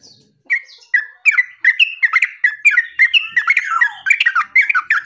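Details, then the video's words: Yellow-vented bulbul in vigorous song: several spaced gurgling notes that quicken into a fast, warbling, bubbly chatter of slurred notes rising and falling in pitch. "SUARA TERUCUKAN GACOR MENANGIS LAWAN"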